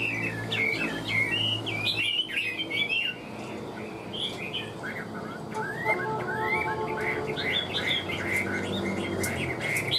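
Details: A caged Hwamei, described as an excellent singer and good fighter, gives rapid twisting whistles in bursts, then sweeping rising notes, against a constant low droning hum.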